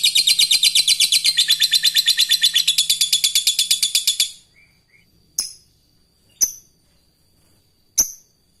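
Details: Fighter lovebird calling an opponent, continuing into ngekek, used to train other lovebirds: a long, harsh, buzzy rattle of rapid notes, about six a second, for four seconds, then three sharp separate chirps after pauses.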